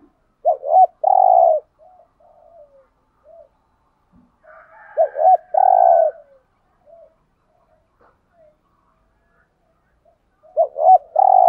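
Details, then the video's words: Repeated spotted dove coo phrases in a lure recording for wild doves. Three phrases come about five seconds apart, each two clipped notes plus a long coo, with soft low murmured coos between them. "chim cu gáy kích bổi thúc gù/ chim cu gáy mồi bài bản [ thúc gù. gáy gọi ]"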